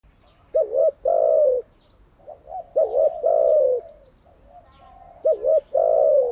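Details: Spotted dove cooing, used for daily training of newly caught and decoy doves: a short wavering double note, then a long, drawn-out, falling coo, repeated three times in steady phrases.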